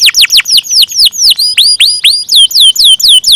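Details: Canary singing actively in a long rolling style: a series of loud, whistled notes that sweep sharply downward, about two per second, with a few rising-then-falling arcs. The notes are high and clear.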